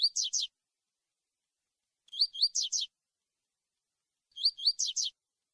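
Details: Tui tui song of a double-collared seedeater, used to prepare young brown birds for contests: three clean phrases of four sharp, upward-slurred whistled notes, repeated roughly every two seconds with silence between.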